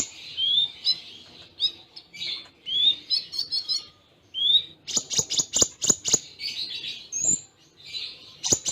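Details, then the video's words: Kolibri ninja sunbird in a song-training recording with Cililin imitations and short pauses: dense high twittering phrases with rising whistles, then a run of sharp clicking ticks and more chattering. "Masteran Konin Full Tembaan Cililin Jeda Rapat"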